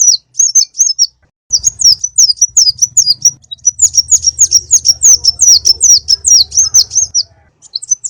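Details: Konin bird lure song, played as a master recording so caged birds copy its full set of phrases. High, thin, quickly repeated twittering notes with wavering downward slurs, broken by brief gaps, over a soft low buzz.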